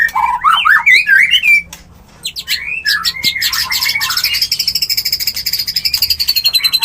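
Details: White-rumped shama mating call for bringing a bird into breeding condition: quick warbled whistles, a short pause, then a long, even trill of rapid pulsed notes that holds high.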